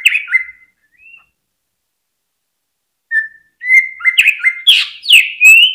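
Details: Caged greater green leafbird whose song is used to stimulate other birds to sing: brief stepped whistles, a long pause, then a building series of loud downslurred and buzzy notes with clicks.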